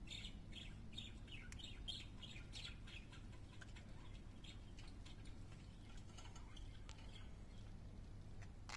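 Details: Singing pet parakeets give a rapid run of scratchy chirps and squeaky warbles that fades toward the end, with scattered ticking clicks and a steady low hum.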